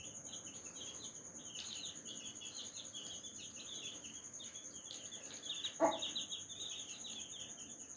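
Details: Baby chicks with their mother hen, fed strawberry: a constant chorus of thin, high peeps, joined by a single low cluck from the hen near the end, over a steady high-pitched whine.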